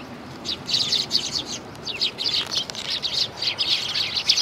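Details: A flock of sparrows on a Tenmangu shrine approach, 12 December 2019, chatter in dense bursts of high twittering chirps that come in rapid overlapping runs, with quiet background murmur.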